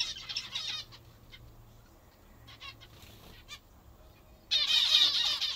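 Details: Pet zebra finches at their favourite food make a loud burst of nasal calls, then a quieter stretch of sparse notes and clicks, then a second loud, rich chorus of overlapping calls.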